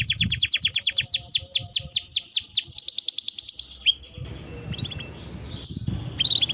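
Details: Canary training song, with a steady run of high, downward-swept notes repeating about three times per second, a short rapid trill, then softer scattered chirps over background noise.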